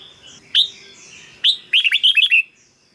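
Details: Red-whiskered bulbul, a recording for decoy work or for stirring caged birds: two sharp single whistles, then a quick run of five or six warbled, descending notes.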